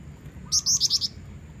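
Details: Female black-winged flycatcher-shrike calling to lure a male: a quick burst of five high, sharp chirped notes in under a second, over low background hum.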